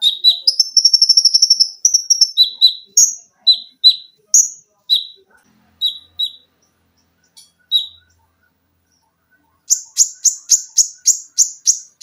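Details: Caged olive-backed sunbird in a training recording with shots, shrill notes and chatter: opens with a fast buzzy high trill, then scattered sharp downslurred chips, a pause, and a final run of rapid piercing notes.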